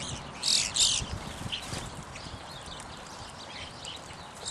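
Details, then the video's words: Evening grosbeaks giving two loud, clear, ringing high notes in quick succession, then faint scattered chirps and a final note, with low rumbling background noise. "Evening Grosbeak"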